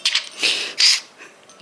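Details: A budgerigar named Pedro, prompted by his owner shaking a bell, gives three quick, scratchy, high-pitched bursts of chattering mimicked talk, possibly swearing, within under two seconds in a quiet room; finding: Budgerigar.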